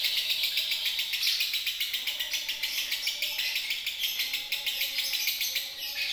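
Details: Lovebird from Indonesia sings in a continuous, rapid, high-pitched chattering stream of buzzy twittering notes, unbroken for the whole six seconds.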